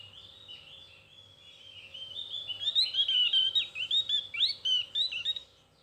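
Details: Javan white-eye (opior jawa, cucak gentong) singing thin, fine twitters. A soft, high warble builds into a loud, rapid series of sharp rising and falling chirps, roughly two per second, then fades. The background is quiet.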